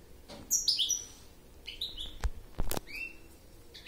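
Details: Goldfinch twittering in short bursts of bright, high chirps and trills, with quiet gaps between phrases and faint background noise.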